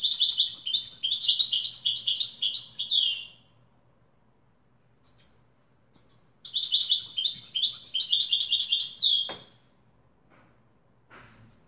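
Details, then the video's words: European goldfinch singing in the Wedani style: dense, rapid high twittering phrases of buzzy and tinkling notes, a three-second burst, a pause with short snippets, then another long run. "تغريد ويداني أصيل"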